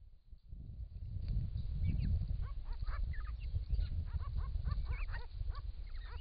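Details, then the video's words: Wild Grey-crowned Babblers, part of a group of six, call to each other while drinking and bathing at a pond in regional Victoria, Australia, in hot summer weather. A camera trap catches rapid, chattering, arched notes over loud low splashing and rumble. "Grey-crowned Babblers calling and bathing"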